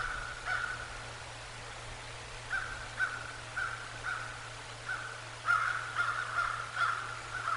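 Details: Bald eagles visiting the Decorah North nest on a November 22, 2022 afternoon: a series of thin, high piping notes, loosely repeated roughly twice a second and growing louder toward the end, over a steady low electrical hum.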